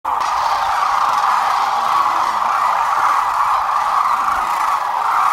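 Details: About 12,000 sandhill cranes at Whitewater Draw on February 19, 2021 make a dense, steady chorus of rolling, trumpeting rattles, with calls overlapping continuously and no pauses.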